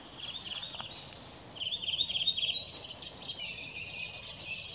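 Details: Redwing song recorded 18 April 2021: a rapid, high twittering phrase of closely repeated notes lasting about a second, set against a steady hiss of distant bird chatter.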